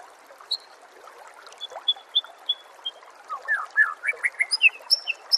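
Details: Master recording of white-rumped shama song for training songbirds: a run of short, evenly repeated whistled notes, then a quicker, louder sequence of slurred and high-pitched chips, over rushing background noise.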